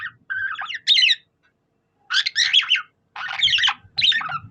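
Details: Budgerigar copying a cockatiel, giving four dense bursts of buzzy chirps and whistles, each under a second long, separated by short silences.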